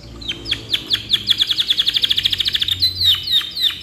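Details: Caged canary singing a long, lively song meant as a tutor model for other birds: sharp downward whistled notes that speed into a fast rolling trill, then slow back to spaced, descending chips.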